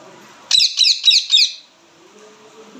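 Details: Indian ringneck parakeet giving loud chirping calls: four harsh, screechy chirps in quick succession, each high and sharply bent, lasting about a second in total, then quiet.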